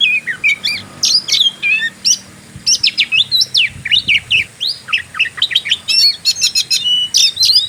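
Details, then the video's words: An Oriental magpie-robin sings in fighting style to provoke rivals. Short, harsh, buzzy notes come in rapid clusters, broken by brief pauses, with a steady chattering rhythm throughout. "Pancingan burung Kacer; gaya petarung"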